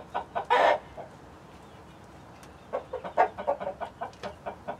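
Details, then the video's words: Mixed flock of hens (Light Brahma, Barred Plymouth Rock, White Leghorn among them) and a Rhode Island Red rooster; an abrupt loud squawk, a pause, then a rapid string of about a dozen clipped clucks. "12 Hours Of Chicken City Live Stream With Relaxing Nature Sounds"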